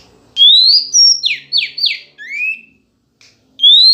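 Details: Female Oriental magpie-robin singing to agitate males: a rising whistle, a high flat note, three quick raspy descending notes and an upslurred whistle, ending in a pause and another rising whistle.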